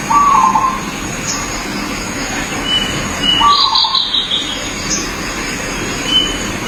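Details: Zebra dove heard in its natural habitat, two quick purring, trilled coo phrases a few seconds apart, while another bird gives high buzzy notes and a steady background hiss continues.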